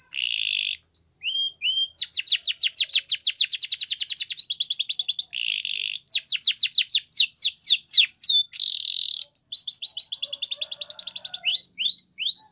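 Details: Spanish Timbrado canary training song with long rolling trills of rapid notes, buzzy rattles between phrases, and short rising whistles closing the passage.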